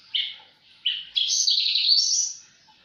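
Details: Javan bush lark singing vigorously (gacor): two short high buzzy bursts, then a long unbroken chattering warble lasting about a second and a half, all high-pitched.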